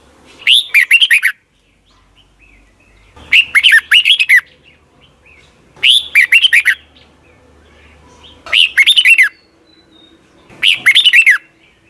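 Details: Thai caged Red-whiskered Bulbul, recorded to be played each morning so young birds learn its song: five short, bright phrases of chirpy, looping whistles, repeated every two to three seconds in a quiet setting.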